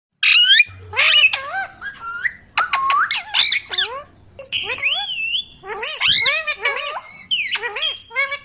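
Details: Pet ringneck parrot, described as an Indian ringneck, chattering in speech-like squawks, with rapid harmonic-rich calls sweeping up and down, sharp clicks and harsh bursts in quick irregular succession, indoors.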